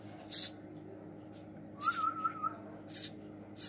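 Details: Baby house sparrow hand-fed indoors, uttering rough high chirps in bursts, with a person's wavering trilled whistle in the middle.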